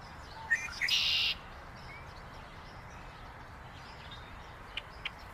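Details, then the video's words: Red-winged blackbird: a couple of short clipped notes, then a half-second harsh buzzy trill, followed by two faint ticks over a steady outdoor hiss. "Red-winged Blackbird Call"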